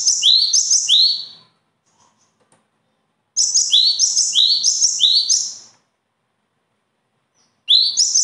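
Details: Bird song in bursts of rapid, high, bright chirps, each note dropping sharply then hooking upward. Phrases of about five notes are separated by pauses of a couple of seconds, with a faint low hum beneath.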